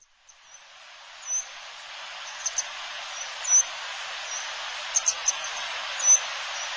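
Grey wagtail giving short, sharp, very high 'tzit' notes, singly or in quick pairs every second or so, over a steady rushing hiss like running water.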